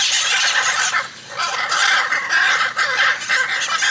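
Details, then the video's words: Hyacinth macaws uttering coarse, croaking squawks in irregular bursts, with a brief quieter gap after the first second. "Hyacinth Macaws"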